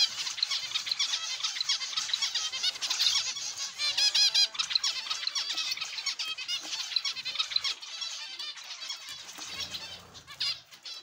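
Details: Zebra finch aviary with many birds: constant jumble of nasal, squeaky, buzzy notes and harmonic stacks, dense and unbroken, thinning slightly near the end.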